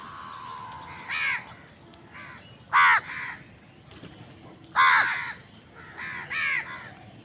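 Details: Harsh crow caws come in uneven bursts as the birds eat and contend for food, some loud and clipped, others softer in the background, over a faint steady hum.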